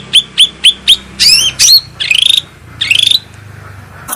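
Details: Cucak rante, a bulbul, in a lure and therapy recording: four quick sharp downslurred chirps, then buzzy rasping notes and two longer scratchy rising phrases, loud and clear over quiet background.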